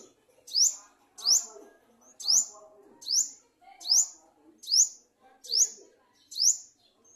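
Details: An Olive-backed Sunbird in a garden, apparently bringing food to its young, gives sharp, very high, upward-flicking chirps, eight in a row at a little under one per second, over a faint low murmur.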